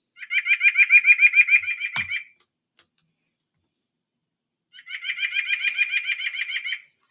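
White-breasted Nuthatch giving two fast, even runs of nasal, laughing notes, about a dozen per burst, separated by a pause.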